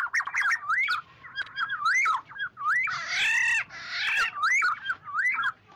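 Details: Oriole flock call used for luring birds, with no background noise: a string of clear, swooping whistled notes, then two long harsh nasal squawks in the middle, then more looping whistles.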